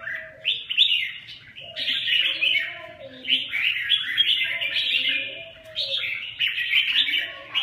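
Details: {'text': 'Red-whiskered bulbul singing a continuous run of bright, warbled phrases that step up and down, with softer lower notes underneath.'}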